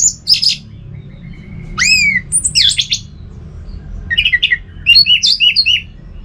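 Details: Orange-headed thrush (Geokichla citrina), a caged bird kept at home, sings loud, varied phrases of high whistles, falling slurs and quick rich trills in bursts, with a low indoor hum beneath.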